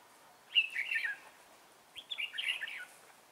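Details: Red-whiskered bulbul used as a decoy bird, singing to lure wild birds into a trap, recorded on 11 December 2016: two short bursts of warbled, chirpy phrases about a second apart, with faint background hiss.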